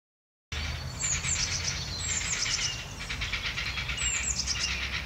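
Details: Grey heron (Ardea cinerea), begging call: chicks begging for food while being fed.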